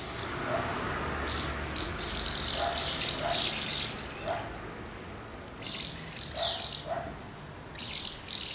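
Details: Many common house martins gathering at two nests while feeding young and flying out, recorded on 24 August 2012. Short scratchy chirps come in bursts, with a few lower, softer notes beneath and faint background hum.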